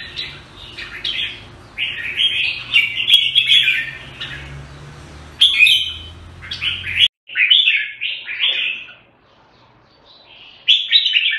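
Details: Red-whiskered bulbul, or jambul, recorded in Singapore, repeating short cheerful whistled phrases of three to five notes, separated by short gaps, with a low hum early on and near silence between later phrases.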